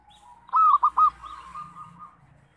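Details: Loud local zebra dove, used as a trapping lure, gives a short phrase of three rolling coos, then a soft drawn-out humming coo over a low background rumble.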